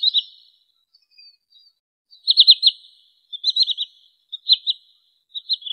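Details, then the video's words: Lure call of a wood sandpiper for trapping birds. Repeated short bursts of three or four high, clipped, falling whistles, each about a second apart, in a quiet setting. "SUARA BURUNG TRINIL SAWAH COCOK UNTUK MIKAT atau PIKAT"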